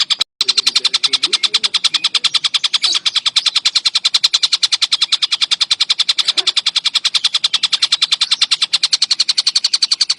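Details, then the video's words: Steady stream of grating kek notes from a collared kingfisher, used to train songbirds, repeated quickly and evenly for ten seconds after a brief opening gap, with faint chirps in the background. "Tengkek Buto Gacor Rapet"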